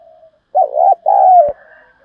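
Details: Spotted dove 'thúc' lure call to attract wild doves: a faint coo fading out, then a hoarse wavering coo and a longer, even, descending coo, ending with a single sharp click and soft trailing notes.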